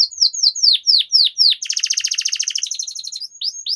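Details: Lure recording of a canary's long rolling 'ngerol' song: spaced, loud down-slurred whistles about four per second, then a very fast stuttering buzzy trill, returning to single notes at the end.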